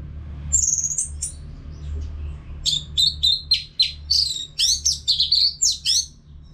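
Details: Gacor Orange-headed thrush from North Bali, singing so other birds join in. After a few high notes and a pause, a fast, rhythmic run of sharp, varied chirps follows.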